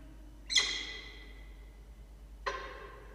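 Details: Nest-camera recording, 6 October 2023, 16:43, of a falcon beside two newly hatched chicks and a pipped egg; two loud, harsh, downward-sliding squawks about two seconds apart, with a hissing background.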